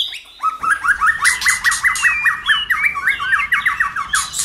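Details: White-rumped shama song in many voices, used to stimulate other shamas to sing and flick their tails: a fast run of repeated short, chattering notes, about one to two per second, mixed with brief higher squeaky bursts.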